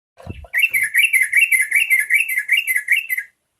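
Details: Yellow-vented bulbul singing to provoke other bulbuls into song: a brief low knock, then about three seconds of fast, bubbly chattering notes, roughly eight per second, wavering up and down at a steady high pitch.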